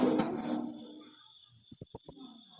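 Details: Blue-crowned hanging parrot calling in the rapid 'tembakan rapat' style: two longer shrill, very high notes, then a quick burst of four short piercing chips, against a constant high insect drone and brief low rustling.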